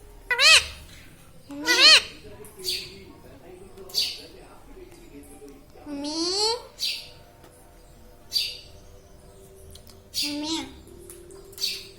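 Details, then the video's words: Talking pet Indian ringneck parakeet laughing: short sharp squawks and soft hissing chirps spread over twelve seconds, with one longer, fuller call that swoops upward in the middle. "Hasne Wala Tota || laughing mitthu"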